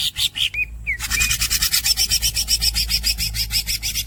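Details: Greater green leafbird: a few squeaky notes and curled whistles, then a long harsh roll of rapid, even rasping pulses.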